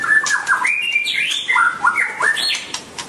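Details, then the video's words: White-rumped shama, a songbird of the Indian subcontinent and Southeast Asia, singing a varied run of clear whistled phrases, some level, some stepping up and down, mixed with sharp clicks throughout. "White-rumped shama(Copsychus malabaricus): Beautiful Birds,Dancing And Singing Chirping Sounds Great"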